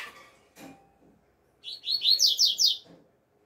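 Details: Outdoor double-collared seedeater song of the 'alegria tuí tuí zeo zeo' type: a quick run of high, buzzy down-slurred notes lasting just over a second, preceded by faint clicks and knocks.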